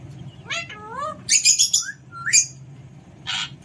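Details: Alexandrine parakeet kept as a pet, having fun: two wavering meow-like calls, then a burst of harsh high screeches, a rising whistle and a final rasping squawk.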